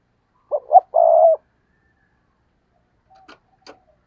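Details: Decoy spotted dove cooing in the stuttering 'gù cà lăm' style to provoke wild rivals: two short clipped notes, then one drawn-out low coo, followed by a silence and two faint clicks.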